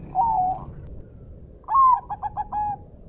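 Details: Zebra dove, Bangkok type, used as a training song: a smooth cooing phrase, a pause, then a clear rising coo followed by a quick run of short cooed notes and a final held note, over a soft background rush.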